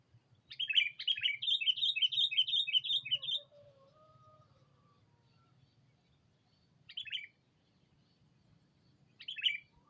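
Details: Sooty-headed bulbul calling a rival on a lure recording: a rapid run of about ten bubbly chirped notes lasting three seconds, then two isolated chirps after long pauses.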